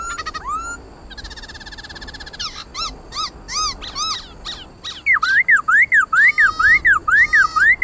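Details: Laughingthrush (khướu mun) in competitive song for stimulating pet birds: a brief whistle, a dry buzzy rattle, spaced sharp chips, then a steady run of rising-falling arched whistles.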